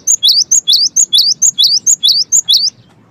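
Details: Energetic song of a cinereous tit (gelatik batu): bright high two-note phrases, the second note swooping upward, repeated quickly and evenly about ten times before stopping.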